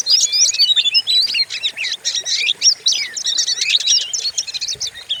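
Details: Oriental magpie-robin, a lure recording used to provoke and train other kacer, its voice described as fierce: dense rapid run of varied whistles, trills and sharp chirps, nearly continuous, with short pauses.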